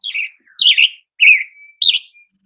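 Western Tanager song: four hoarse, burry phrases, each dropping slightly in pitch, delivered with short pauses like a rough-voiced robin.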